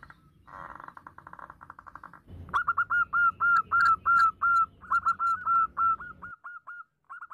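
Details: Female zebra dove calling the male: a faint buzzy pulsing run, then a sharp onset and a loud steady series of whistled notes about three per second, thinning to spaced single notes.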